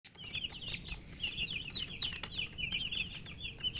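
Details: Colour chicks chirping from thirst for drinking water while eating; a dense chorus of high, short, downslurred peeps from many chicks, overlapping continuously, with soft tapping and pecking clicks underneath.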